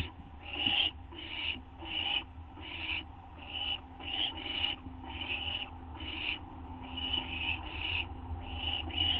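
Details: Owl on a live nest camera at 2:16 AM on 30 August 2011, getting a food treat, giving harsh hissing screeches in short bursts about every half second, steady and repeated over a low background hum.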